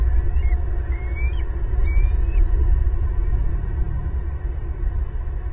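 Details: Bald eagle at a big old nest in a pasture tree, Southwest Florida eagle cam, April 18, 2022, four eagles home, loud family chorus; three high, thin, rising chirped calls in the first seconds over a steady low rumble.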